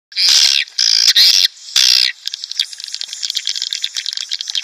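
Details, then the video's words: Swiftlet calls played to draw courting swiftlets or a colony into a nest house: four loud harsh buzzy bursts high in pitch, then a fast rattle of sharp clicking chirps continuing to the end. "SP Walet Klimax 2019||Origional Teruji Tarikannya Dahsyat.."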